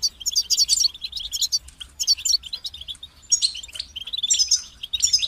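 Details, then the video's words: Goldfinch song made of short sparkling phrases of twittering, trilled notes, separated by brief gaps, bright and high-pitched; low background hum. "Highlighting motivating songs for creative goldfinches in simple ways"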